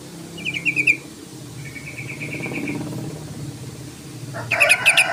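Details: Yellow-vented bulbul calling out to a rival. Short bursts of rapid, evenly pitched chirps, a softer run in the middle, then a louder, harsher chattering burst at the end over low rumbling background.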